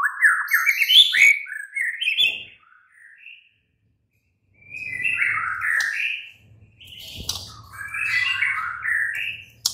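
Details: Night-time White-rumped shama song used to provoke a caged bird into replying: bursts of rich, warbled whistles separated by short pauses, with faint low rumbling behind.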